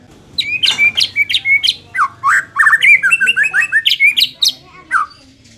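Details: White-rumped shama song used to make an unwilling bird fight harder: a dense run of quick, varied whistles and harsh chattering notes repeated several times a second, with a low hum underneath.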